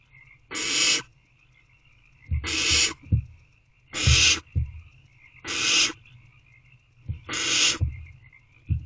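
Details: Barn owl chicks inside a nest box late on a March evening, squirming together. Five drawn-out, rasping hisses arrive about every 1.7 seconds, separated by quiet stretches with low bumping and shuffling noises.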